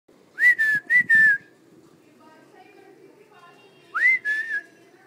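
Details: Talking parrots kept at home: two clear whistled, speech-like phrases, each opening with a quick upward slide and then holding a steady pitch in short broken syllables, separated by a quiet gap, with faint low room hum beneath.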